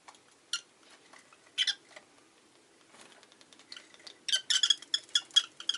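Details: Rosy-faced lovebird uttering harsh scratchy squawks, building at the end into a fast series of loud grating calls, with a low hum behind.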